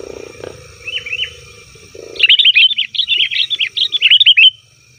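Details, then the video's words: Sooty-headed bulbul in noisy 'ribut' calling, a recording meant to draw wild bulbuls: two soft slurred notes, a pause, then a dense burst of rapid, high chattering chirps lasting about two seconds. "suara burung kutilang ribut||ampuh untuk panggilan kutilang di hutan,kutilang di rumah pasti Nyaut"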